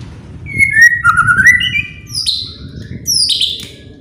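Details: White-rumped shama song meant to trigger singing in other birds: a smooth descending whistled phrase, then high sharp downward-slurred notes, with low rumbling noise beneath.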